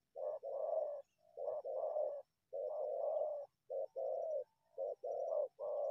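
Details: Low, mellow cooing from a wild spotted dove that emerges from bushes to attack a decoy, delivered in steady phrases of short and longer hollow notes nearly without pause.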